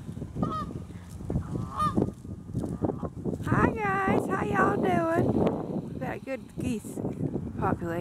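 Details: Geese flying in and landing on an icy pond on 19 November 2014: a flock gives many overlapping nasal, harmonic honks, some bending down in pitch, most dense midway through, while a person calls out greetings.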